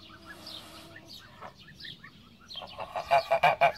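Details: Background chirping from small birds gives way to a run of four or five loud, evenly spaced honks from a Pomeranian goose, a domestic breed derived from the greylag goose.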